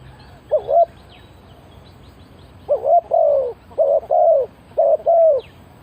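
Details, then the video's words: Spotted dove decoy call used to lure wild birds: a short two-note coo, then after a pause a run of paired mellow, slightly rising-then-falling coos repeated in quick succession, with faint background hiss. "Chim cu gáy chiêu kích mồi tập bổi nhanh nổi hiệu quả"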